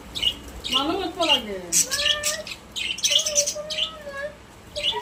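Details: Pet budgerigars in a cage, described as happy: bursts of sharp chirps and squeaky warbles come in quick clusters, with a lower, humanlike harmonic voice sliding underneath between bursts.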